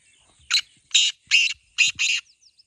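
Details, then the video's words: A single harsh call phrase from a black francolin, or kala teetar, in a voice contest between two birds: five grating, buzzy notes, the final pair almost joined. "Black Teetar Voice"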